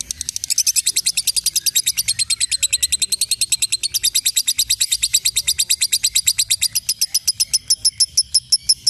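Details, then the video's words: Caged Pandora lovebird in long continuous ngekek song: rapid, unbroken run of shrill high chirps about six per second for nine seconds, faster and steady, slightly spacing out at the end. "LOVE BIRD BIOLA NGEKEK 1 MENIT UP"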